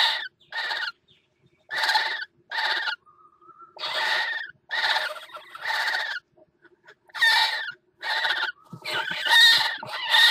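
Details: Northern goshawk calling during mating on the edge of its water-tower nest at Axel, 5 February 2018: a run of short, grating, harmonic-rich notes, some clipped and quick, others drawn out, with a brief thin whine between.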